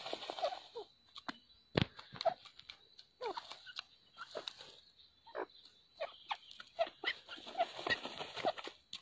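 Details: Grey francolin in breeding season gives harsh, clucking notes in uneven bursts every second or so, over a steady high insect hiss.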